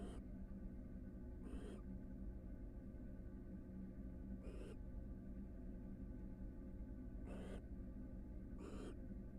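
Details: Barn owl pair at a Florida nest box preparing for a second brood, female inside, male roosting outside nearby; four harsh, breathy hissing screeches, each under half a second, spaced irregularly, over a continuous low hum.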